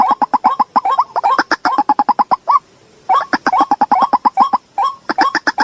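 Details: White-breasted waterhen calls played to lure the birds out: rapid, regular series of short notes, each with a quick upward flick, about two or three per second, broken by two short pauses.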